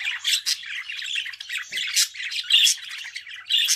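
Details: Budgerigar chattering in a fast, continuous warble of scratchy chirps and squeaky notes, with brief louder bursts about every half second.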